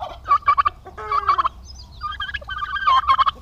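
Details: On a Paraná, Brazil farm, aggressive male domestic turkeys produce quick stuttering gobbles mixed with a few higher, thin notes and a drawn-out nasal call.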